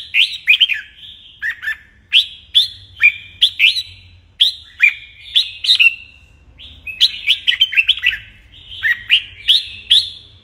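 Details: Red-whiskered bulbul singing its morning song in training, a string of crisp whistled notes and short warbled phrases coming in quick succession, with a quiet low rumble behind.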